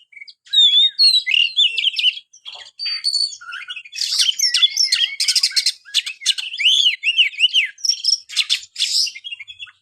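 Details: Long varied Oriental magpie-robin song, for a kept bird that sings little: scattered whistles and chirps build into loud continuous phrases of buzzy trills, swooping notes and sharp clicks in close succession.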